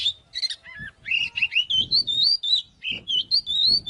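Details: Oriental magpie-robin song used as a fighting lure: scratchy opening notes, then a long chain of bright, pure whistles stepping up and down, each phrase short and quickly repeated, with soft low thuds underneath.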